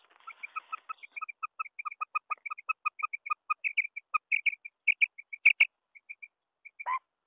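Female quail giving a fast run of short, clipped double notes, about five a second, steady in pitch, with a few sharper clicks near the end.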